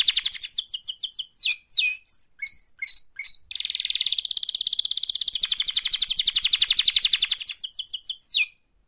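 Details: Canary mating-call song: quick chirps and falling notes, then a long, steady, rapid trill of repeated pulses, ending with a few sharp chirps.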